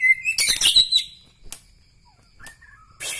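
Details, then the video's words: White-rumped shama from Bahorok, Medan, giving a burst of high, harsh twittering notes, then isolated sharp notes and a few soft whistles amid quiet pauses. "ciri ciri murai batu Medan Bahorok"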